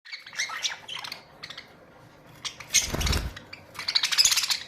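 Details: Budgerigars in a colony of Australian parrots, giving bursts of high, scratchy chattering calls separated by short pauses, with a thump of low noise midway.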